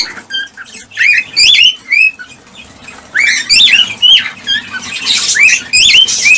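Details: Cockatiels heard for breeding stimulation: distinct rising whistled chirps, often in quick pairs, alternate with quieter stretches and one noisy rasping burst near the end.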